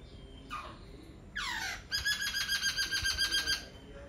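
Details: Laughingthrush singing: a few rising and falling whistled sweeps, then a fast, rich run of repeated harmonic notes, about a dozen in under two seconds, over a quiet background hiss.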